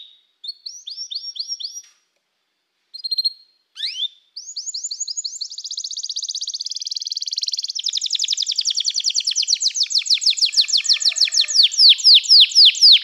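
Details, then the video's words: Canary song played to encourage a canary to sing: short whistled phrases with pauses, then a long continuous run of fast rolling trills and chirps that grows louder toward the end. "canário parar de cantar? toque imediatamente este encantador som de canário"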